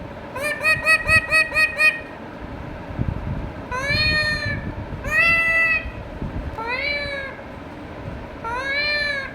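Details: Pet Indian ringneck parakeet chattering: a rapid burst of seven clipped syllables, followed by five longer nasal rising phrases, somewhat speech-like, with soft background noise.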